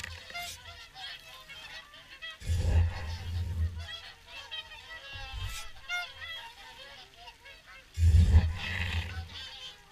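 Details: Flock of swans calling during the evening feed at WWT Caerlaverock: continuous overlapping honks and bugling notes from many birds, broken by three heavy low-pitched thumps or wind gusts.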